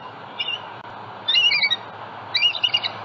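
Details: Bald eagle at a nest in Southwest Florida on a February 27, 2020 morning, eggs in the nest, a juvenile flying over, picked up by a live nest camera; a few short, high squawking chirps in two bursts.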